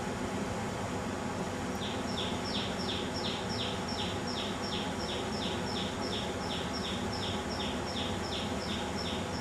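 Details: A common tailorbird sings in a garden: a long run of loud, sharp notes, about four a second, each falling in pitch, over a steady hum of distant traffic.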